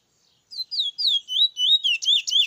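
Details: A bullfinch from Icacos sings a quick, sweet run of about eight slurred whistles, rising and falling in pitch, delivered at roughly four notes per second.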